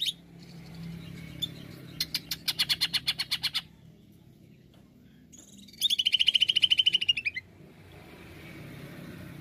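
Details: Cucak ijo, the greater green leafbird, delivering 'nembak' song as a lure recording: a run of about ten rasping chips, a quiet gap, then a fast stream of shrill high notes lasting over a second and falling at the close, over low hum.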